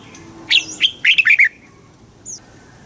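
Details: Red-whiskered bulbul from Thailand, southern master-style song for exciting birds and training youngsters: a single brisk phrase of five or six sweet, bouncing whistled notes followed by a faint high note.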